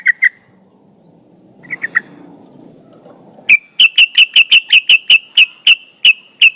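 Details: Trucukan song played as a lure to get other trucukan singing: a few short chirps, a quiet gap, then a fast series of sharp, clipped whistled notes repeated about three per second, evenly spaced and loud.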